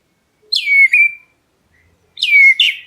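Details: Black-breasted Oriental magpie-robin calling to provoke other birds: two loud whistled phrases, each a long note sliding down then held, separated by about a second of silence.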